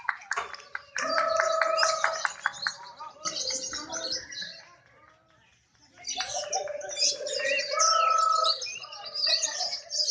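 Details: Lovebird singing contest, with birds rewarded for calling actively; two long stretches of rapid ticking and twittering chatter separated by a quieter gap, a steady drawn-out note underneath, people talking faintly.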